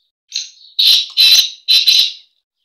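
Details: Black francolin breeding call: a harsh, grating phrase of one thin opening note followed by three loud, rasping bursts in quick succession, then silence.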